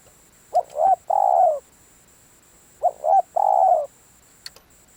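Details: Spotted dove calling as a decoy for luring: two clear phrases about two and a half seconds apart. Each phrase is two quick coos and a longer sliding coo, with a faint click afterwards.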